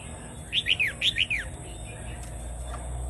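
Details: Red-whiskered bulbul of Vietnamese type giving a doubled song used to teach chicks and rouse other birds: two quick groups of bright, falling whistled notes, then quiet with faint hum.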